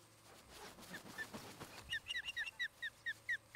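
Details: Osprey pair at a nest near Charlo, Montana, on a nest camera, 17 August 2018, a couple building a new nest; quiet rustling gives way to a fast series of sharp, down-slurred whistled chirps, loud and repeated about twice per second.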